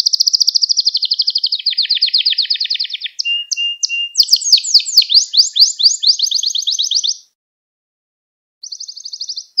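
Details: Canary singing, recorded to train young canaries: a loud fast trill dropping in pitch, a flat whistle, a run of sharp sweeping notes and a trill, a brief silence, then another short trill.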